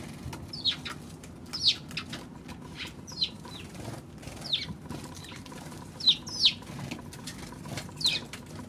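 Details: Eurasian tree sparrow on 16 March, giving short sharp chirps, single or in quick pairs, repeated every second or so over a low steady background rumble.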